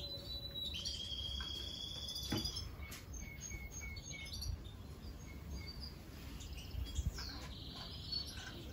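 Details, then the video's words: Budgerigars calling: a long, level, high whistle, then scattered short chirps and twitters, ending with a sliding whistle, over a constant high-pitched hiss. "Волнистые попугаи"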